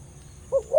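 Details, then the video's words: A Khmer dove gives two quick, low, mellow coos, the second slightly higher and fuller, over a quiet background hum. "The sound of Khmer Dove and big sound / លលកខ្មែរសម្លេងធំ"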